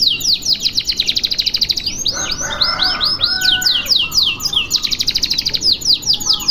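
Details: Unbroken high canary song meant as a tutoring recording: pulsing rolled trills, a middle run of arched whistled sweeps over a faint lower warble, then more rapid rattling trills.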